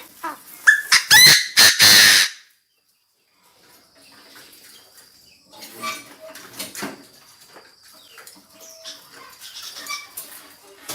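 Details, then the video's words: Decoy Chinese francolin calling to gather the flock: a loud cluster of harsh, rasping notes at the start, then quieter scattered chirps and rustling with a faint steady high tone behind. "Tiếng chim đa đa gọi bầy chim đa đa mồi gáy cực căng"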